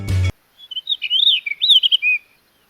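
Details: Blue rock thrush in Sri Lanka, near the ancient ruins of the first ancient capital: one quick, fluty warbled phrase of clear whistles rising and dipping in pitch, after a brief sharp thump at the start.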